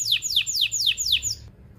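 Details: Canary singing a phrase meant to stimulate males and females toward mating: five loud, evenly spaced, steeply falling whistled sweeps, each about a quarter second apart, ending abruptly in near silence.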